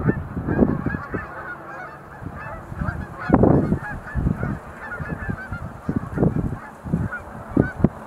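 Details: Sandhill cranes engaged in display leaps at Montezuma National Wildlife Refuge visitor center, November 2020; bursts of rattling, honking calls from several birds, one especially loud burst early on, amid low rumble.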